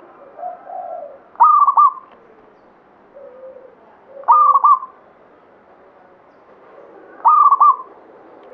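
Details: Local zebra dove, Banyumili katuranggan, singing steadily: three loud, stuttering, bubbling coo phrases about three seconds apart, with quiet low cooing between them.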